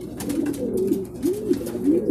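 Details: Racing pigeons return in groups from their second truck training in Guiguinto, Bulacan; arched, swelling coos repeat about every half second, several birds overlapping, over light rustling.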